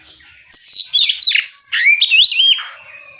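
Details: Oriental magpie-robin, a loud open-voiced singer used to provoke other magpie-robins into singing back; a rich run of sweeping whistled phrases and chattering notes, rising and falling quickly over about two seconds.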